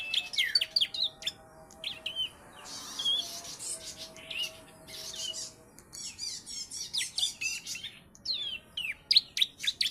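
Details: Bar-winged prinia, a three-month-old bird tutored with ciblek song, opens with sharp descending chirps, then a softer stretch, then quick bright chirping trills of about four notes per second.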